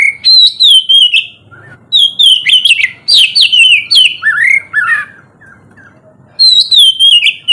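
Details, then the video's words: Loud open ngeplong song of an oriental magpie-robin, meant to get reluctant birds singing in the morning: quick runs of sweet whistles and sharp chips repeated, a pause, then another whistled phrase. "terapi pagi cocok buat mancing kacer malas bunyi supaya cepat gacor"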